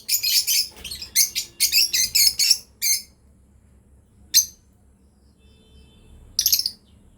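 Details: Breeding pair of lovebirds giving shrill, harsh chirps in a fast burst of about ten notes over the first three seconds, then two lone sharp chirps after a pause, with a faint low hum underneath.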